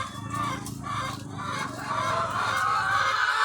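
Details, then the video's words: Laying hens in their thousands on a farm, a crowded clucking chorus over a steady low machine-like hum, with a longer drawn cackle swelling near the end. "The Sound of Thousands of Egg-Laying Chickens"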